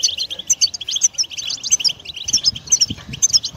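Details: European goldfinch song for prompting a pet bird to sing: crisp, rapid chirps in steady pulses with bright piping accents, rhythmic and twittery, with soft low thuds in the background.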